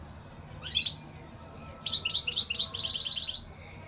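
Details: European goldfinch singing: a brief high twittering note, then a rapid run of repeated tinkling, buzzy-edged notes lasting over a second, high-pitched and bright over a quiet background.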